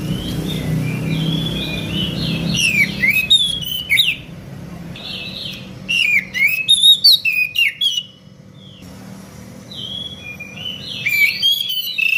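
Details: Oriental magpie-robins answering each other in the morning: rich, varied whistled phrases, rising and falling slurs broken by sharp, clicking bursts, with short pauses between outbursts and a low rumbling hum beneath.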